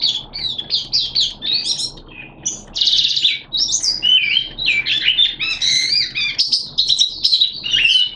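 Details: Oriental white-eye opening song from a hobby-kept bird, 11 September 2022, wet erratic weather; long jumbled medley of shrill chirps, buzzy notes and clear whistles, delivered rapidly with few gaps.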